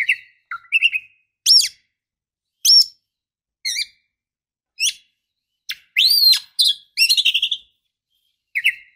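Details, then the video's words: Female Oriental magpie-robin (kacer) calling to stimulate males to sing: clear, varied whistled phrases about once a second, rising notes, sharp chirps and quick trills, with clean silence between. "kacer ngeplong santai ampuh buat pancingan kacer macet bunyi"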